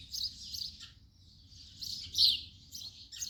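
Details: Short series of sharp, high house sparrow chirps in twos and threes, a lull between groups, one louder note near the end.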